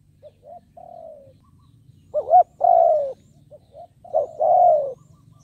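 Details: Decoy spotted dove cooing to draw in wild doves: soft low preliminary notes, then two loud phrases of a quick double note followed by a drawn-out descending coo, over a faint low hum.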